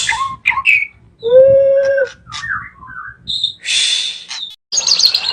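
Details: White-rumped shama, a highly valued songbird, singing a varied phrase: a clear low whistle, rising notes, short chirps and harsh buzzy bursts with brief pauses between them.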